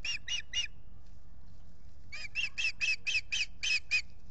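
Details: Ospreys, a pair at their Salt Point nest on April 19, 2021, during the courting and nest-building season: three fast piping chirps, a second of quiet, then nine louder, evenly spaced whistled notes with a low rumble beneath.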